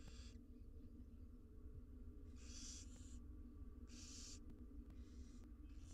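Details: Six wild barn owl nestlings being fed inside a research nest box, giving harsh broadband hissing begging calls in bursts of about half a second, roughly every one to two seconds, over a steady low hum.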